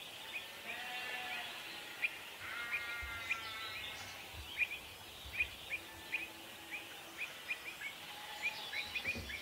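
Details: Pied avocets defending their young in a territorial dispute give a rapid series of sharp, piercing high calls, increasingly frequent toward the end, mixed with harsher harmonic calls and constant background hiss.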